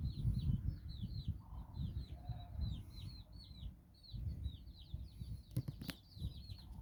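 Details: Out walking in Bizkaia, Basque Country, nine chicks accompany their mother hen, uttering quick series of high falling peeps amid low rumbling and a brief sharp knock near the end.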